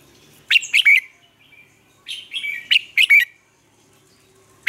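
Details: Red-whiskered bulbul lure song used to train caged bulbuls, Vietnam: two crisp three-note whistled phrases about two seconds apart, linked by softer twittering, a new phrase starting at the end.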